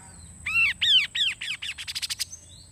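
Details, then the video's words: Kaso-kaso bird delivering a rich, harsh phrase. Three broad arched notes slur downward, then a run of progressively shorter, faster notes forms a rattling stutter. A faint steady high whine continues underneath. "burung kaso kaso gacor efektive untuk pancing bunyi"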